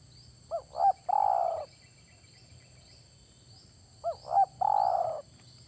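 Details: Spotted dove lure call for trapping, two phrases each of two short hooked coos and a long rolling coo, about three and a half seconds apart, with faint high chirps of another bird repeated behind.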